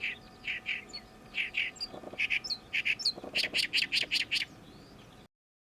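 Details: Oriental reed warbler in summer, back from migration this season and noisily repeating its gyo-gyo-shi song: rasping, squawky doubled notes building into a fast, regular burst of about ten loud chattering syllables before ending abruptly.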